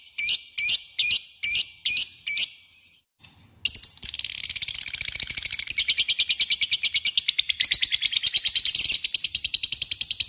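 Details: Lovebird ngekek, a call meant to challenge a rival and set other birds singing: several separate sharp, high chirps, a brief pause, then a long, fast, unbroken chattering trill that continues to the end.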